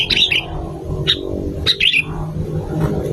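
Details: Sooty-headed bulbul lure song: a few short, liquid chirps and a tumbling phrase scattered over a noisy background with a low steady hum.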